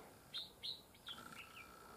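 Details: During decoy-trapping of fighting bulbuls, a red-whiskered bulbul gives three short, bright chirped notes in quick succession, then softer slurred whistles and a thin steady tone; a newly arrived bird soon jumps into the trap.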